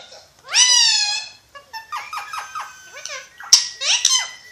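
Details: Pakistani ringneck parrot (Alexandrine parakeet) talking indoors, opening with a long drawn-out word, then several short clipped speech-like syllables and a sharp squeak near the end, all shrill and strongly harmonic.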